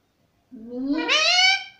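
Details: Talking pet parrot repeating "mummy", here one drawn-out voiced sound that starts low and nasal and then climbs into a bright, strained, harmonic tone lasting over a second.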